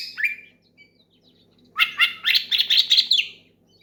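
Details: Oriental magpie-robin calling a rival with loud song that prompts others to join: a lone whistled slur, a pause, then a dense fast burst of chattering, buzzy notes.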